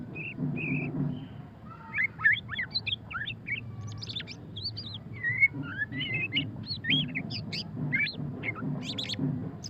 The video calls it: suara kicauan burung murai batu pastol ngeriwik - white-rumped shama